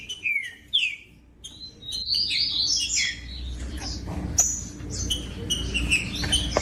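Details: Green-winged saltator song meant to stimulate other saltators: two falling whistles, a pause, then a rich run of warbled, rising and falling whistled notes with a faint low rumble.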